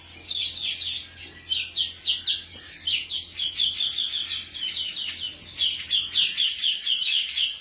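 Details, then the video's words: A male cucak cungkok delivers a lively, continuous chatter of high, piercing chirps and rapid twittering phrases, notes tumbling quickly with little pause, over a steady low hum. "suara jantan burung cucak cungkok"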